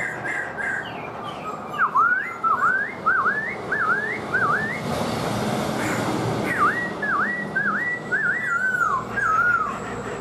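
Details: Kept black-throated laughingthrush singing and dancing with its tail fanned: a string of loud, clear, whistled phrases that swoop down and up, delivered in rapid bursts with a brief pause midway, over a steady background hum.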